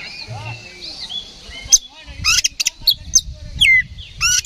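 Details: Oriental magpie-robin in an emotional, fight-ready singing session: soft warbled notes at first, then loud clusters of sharp chirps, rasping notes and falling whistles in quick succession.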